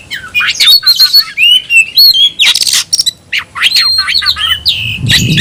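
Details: Tayoraky-style song, a new variant, from an oriental magpie-robin in full voice with open tail: fast, irregular notes about four per second, mixing whistled slurs and harsh bursts, with a low thump at the end.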